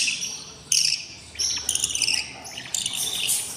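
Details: Six hungry budgie nestlings on day 20 beg in their nest with loud, grating, hissy rasps that come in sudden bursts of about half a second, separated by quieter gaps.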